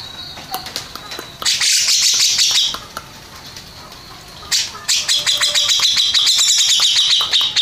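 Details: Grey-cheeked bulbul, champion of a singing contest. It opens with soft scattered notes, then a loud buzzy burst, a lull, and finally a long run of rapid repeated bright chips.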